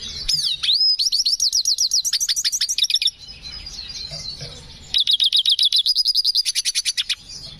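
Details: Black hooded siskin in breeding condition singing actively with a distinctive song style: a swooping high whistle, then fast runs of sharp, high repeated notes, a pause, and a second rapid, even series of bright chirps.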